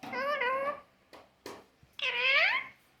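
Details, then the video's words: Green pet parrot talking in a small room: a wavering harmonic phrase, a couple of brief clicks, then a rising-falling voice-like syllable, over a low steady hum. "Parrot kaise baat karta hai"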